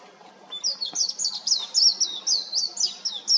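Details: A warbling white-eye singing on an electric wire gives a fast, high, tumbling run of thin slurred notes that rise and fall without pause for about three seconds, over a faint low background hum.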